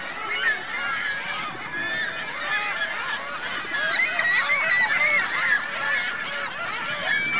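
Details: Many geese with goslings at a Reno lake, Virginia Lake, produce a constant chorus of rapid, overlapping nasal honks, calls tumbling over one another with little pause.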